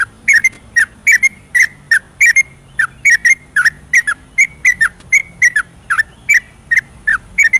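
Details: Yellow-vented bulbul singing vigorously at night in ropelan style as a lure for reluctant birds. Bright bubbling whistles repeated in quick couplets over a faint low hum.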